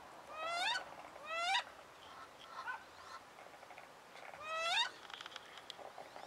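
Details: Female wood duck, angry at being moved to another pond, calling in winter among captive mandarins and call ducks. Three sharp, upslurred squeals come at roughly 0.6, 1.5 and 4.7 seconds, with softer calls in between.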